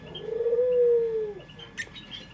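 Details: Single drawn-out low coo from a local dove of Indonesia, pelung style, used as a lure. It swells, holds steady and slides down as it fades, with a brief high chirp from another bird afterwards.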